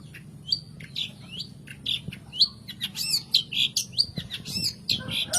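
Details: Long-tailed shrike song played to stir lazy birds into singing: varied slurred whistles and squeaky notes building into a lively, scratchy chatter.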